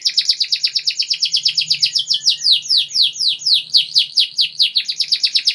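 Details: Canary singing, a long-duration master recording for training young birds: rapid trills of descending high chirps repeated about twice per second, with a faint low hum beneath.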